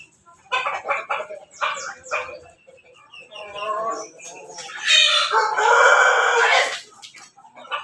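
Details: Pelung–Bangkok crossbred chickens gathered for morning feeding give a run of short harmonic clucks, followed by a long, drawn-out, wavering crow.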